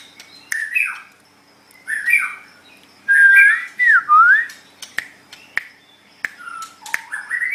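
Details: Caged white-rumped shama singing clear looping whistles that rise and fall, with squawky notes and sharp clicks between phrases.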